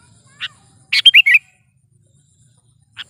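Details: Chattering Sooty-headed bulbul, recorded for use as a trapping lure. A brief chip comes first, then a rich burst of four quick slurred notes, then another sharp chip.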